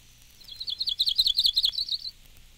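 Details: Myrtle Warbler giving a jumbled, warbling trill of quick high notes that wavers up and down, then rises slightly toward the end, lasting about one and a half seconds.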